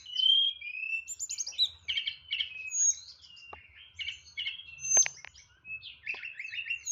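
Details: Kept tledekan singing with strong volume in 'nyeklek' style: dense chattering and warbled phrases mixed with clean whistles and sharp clicks.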